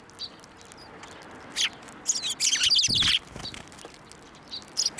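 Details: Sparrows at a Tenmangu shrine, 11 March 2024, flying to a hand to be fed; faint isolated chirps, then a loud tumbling chatter of chirps mid-clip, with a soft thump.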